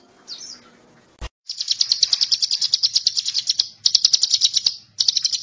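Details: Bar-winged prinia song meant as a training master for magpie-robins: after a sharp click, a long, continuous, very high and rapid chattering trill of evenly repeated notes, broken by one short pause.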